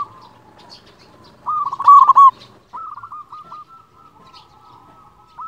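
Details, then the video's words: Local zebra dove, big-voiced, used as a master song to lure and provoke other doves: one loud stuttered coo followed by a string of softer, gently wavering coos over faint background murmur. "Perkutut lokal gacor suara besar Masteran perkutut bikin yang malas jadi bunyi."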